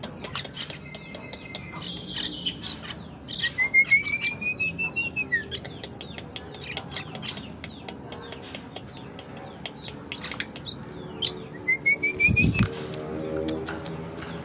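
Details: Tame Asian pied starling singing: squeaky chirps and chatter broken by two clear upward-sliding whistles, the first long, the second shorter, with a brief low thump near the end.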